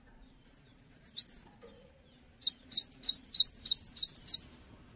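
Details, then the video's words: Singing Cinereous tit meant to trigger other tits to start singing; a few loose high whistles, a short pause, then a fast run of sharp upswept double notes repeated about seven times. "GELATIK BATU GACOR | Bikin Gelatik Lain Cepat Terangsang Untuk Ikutan Bunyi"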